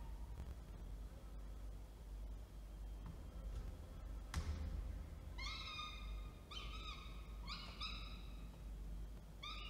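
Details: Falcons in Orange, NSW, Australia, 19 October 2024, male bringing food and female feeding: thumps and scraping first, then a series of short, sharp, rising harmonic yelps in quick groups during the second half, over constant rumble.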